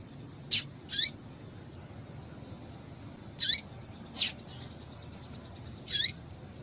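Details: Calling female rusty-collared seedeater, meant to stimulate males: five sharp, thin, high notes with falling tails, in irregular pairs and singles, over steady low hiss.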